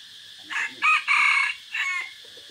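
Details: Crowing decoy red junglefowl, recorded 3 April 2024 in forest: a classic four-part crow with short first notes, a long sustained third section and a brief fading end, steady hiss behind.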